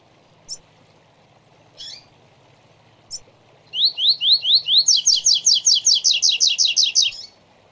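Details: Coleiro (double-collared seedeater) tutor song for young birds, Tui Tui Zel Zel Zel three-note type: a few isolated chips, then rising slurred notes that speed into a long, rapid, evenly repeated high buzzy series.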